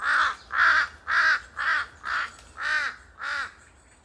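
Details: A pair of large-billed crows in a forest, their noisy cries echoing: seven loud, harsh caws at about two per second, each a hoarse, slightly arched cry.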